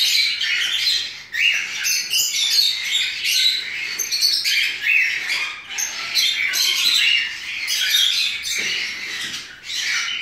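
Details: Rosy-faced lovebirds at an exotic bird breeding facility in Campinas keep up a dense, shrill chatter of high squeaks and screechy chirps, several birds calling over one another without pause.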